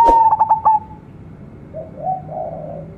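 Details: A local young zebra dove delivers a fast burst of clipped coos, followed by soft, lower, drawn-out notes and faint background hum.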